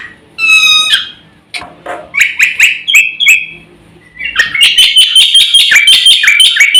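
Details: Song of a black-winged myna, full and rich, used as a lure and master recording for training birds; opens with a clear ringing whistle, then buzzy chattering phrases, ending in a dense rapid run of sharp notes.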